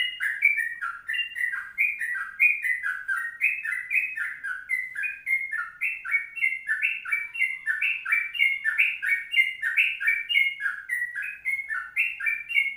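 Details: An extended 'ropelan panjang' song from a sooty-headed bulbul, made of dense, rhythmic runs of warbled whistles rising and dipping for nearly thirteen seconds, with no other sound.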